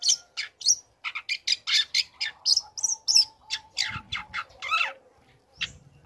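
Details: Energetic young long-tailed shrike singing as it learns new phrases, meant to stir other shrikes to respond: rapid series of scratchy, high chirps and harsh notes, almost continuous, with a soft low rumble midway.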